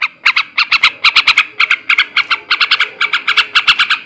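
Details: Sooty-headed bulbul male in ngekek garuda style, meant to stimulate breeding condition; scratchy, squawking notes in quick pairs and triplets, steadily repeated across a few seconds.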